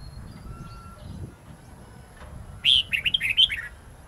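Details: After a quiet stretch, a red-whiskered bulbul bursts into a one-second run of clear, twisting notes in the wild-forest style (giọng rừng), a song used for training young birds to learn it.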